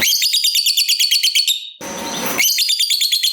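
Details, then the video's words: Lovebird, a fighter type kept to prompt other lovebirds to sing, giving a long 'ngekek' chatter: rapid, harsh, evenly pulsed notes of about three per second, broken once by a burst of broadband noise before the chattering resumes. "Lovebird Gacor Ngekek Panjang !! Pancingan Top Lovebird Apapun Bikin Rajin Bunyi Ngekek Panjang"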